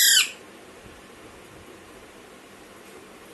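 A young Alexandrine parakeet gives a single harsh, high squawk lasting about a quarter second, followed by quiet room hiss.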